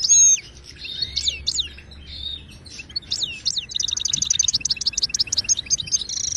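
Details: Moroccan goldfinch song, wydani style, for tutoring caged birds: looping whistled slides and downward-swept notes give way to a long, fast, buzzy trill of rapidly repeated high notes, ending in twittering.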